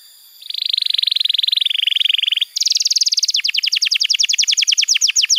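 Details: Canary singing in a tutor recording for young birds: a long buzzy rattling trill that dips slightly, then a rapid series of sharp falling notes repeated evenly.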